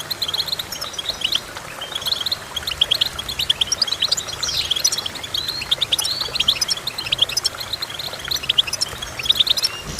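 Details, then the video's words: Continuous goldfinch song of fast, high tinkling chirps and trills, with one rising sweep and dense overlapping twitter throughout. "Goldfinch Chirping"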